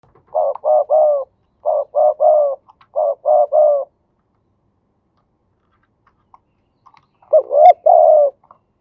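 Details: Male spotted dove singing in the Thai 'khu ang' style, delivered as 'khan yon two kuk'. Three phrases of three or four low, mellow, arched coos come in quick succession. A pause follows, then a fourth phrase. The background is quiet.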